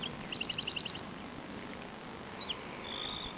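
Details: A Black-throated Sparrow sings in Phoenix, Arizona: a couple of high clear notes, a quick tinkling trill, more sharp notes and a thin buzzy trill over steady hiss.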